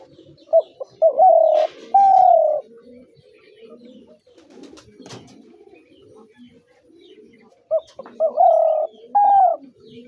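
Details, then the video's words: Spotted dove, a decoy or hunting dove, giving two loud coo phrases, each of short hoots followed by a longer, slightly rising drawn-out coo; quieter pauses between them carry faint background rustles and clicks. "শিকারী ঘুঘুর ডাক"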